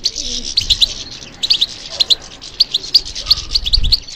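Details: Singing European goldfinch reacting to stimulation; quick runs of high, liquid chirps and buzzy trills in repeated bursts, a few soft low thumps near the end.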